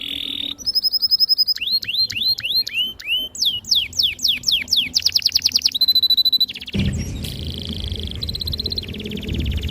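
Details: Canary giving a long, loud song meant to prompt young canaries to learn singing: clear whistles, a run of repeated rising chirps, fast trills, then softer rolling trills over low background rumble.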